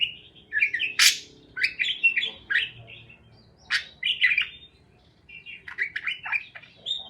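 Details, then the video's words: Lonely-parakeet chirping track: rapid chattering warbles and sharp clicks in bursts, a quiet pause, then softer chirps resuming. "Help Lonely Parakeets to Chirp | Parakeets Chirping Sounds"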